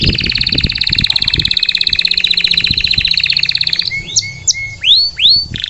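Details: Canary song opening with a long fast buzzy rattle of rapid repeated notes, followed by a few sharp whistled flicks and two looping rising-falling whistles; some low knocking sounds in the background.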